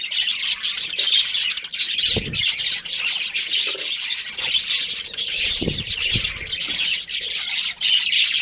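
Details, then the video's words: Breeding pair of budgerigars giving a steady flood of high chirps and squeaky warbles, with a few soft low bumps and knocks in the background. "Love Birds Breeding Pair | Budgies Chirping Sounds"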